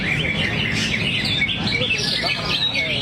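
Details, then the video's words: Greater green leafbird delivering its song material ('buang materi') while 'teler': a dense, continuous run of high chirps, trills and whistled notes, with a steady low murmur of voices and background rumble beneath. "Cucak Hijau Luke H. Yogi buang materi sambil teler"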